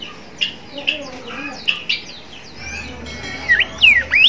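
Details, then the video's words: Bimoli song recorded as a master for young birds learning to sing: spaced short, bright chirps at first, then louder, longer swooping whistles that rise and dip near the end. "suara burung gacor burung bimoli trotol"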